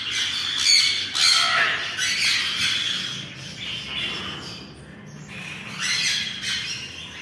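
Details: Mini macaws feeding each other give harsh, raspy squawks and grating chatter in bursts about a second apart, loud and high-pitched, with no other clear sounds.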